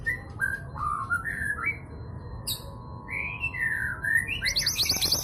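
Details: Lure female long-tailed sibia, local to East Java, meant to trigger song in quiet males: a sequence of clear slurred whistles, several dropping in pitch, ending with the start of a quick high chatter.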